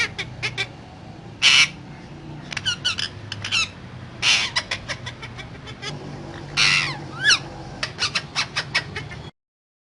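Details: Talking parrot producing scattered harsh, rasping squawks and clicking notes, some bursts longer and noisier, one with a brief downward-sweeping squeal, over a low steady background hum.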